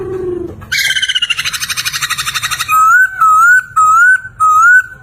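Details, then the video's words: Laughingthrush (poksay) singing loudly as a master song for songbird training: a low whistle, a long fast buzzy trill, then four clear rising whistles about half a second apart. "Suara Merdu Burung Poksay Gacor"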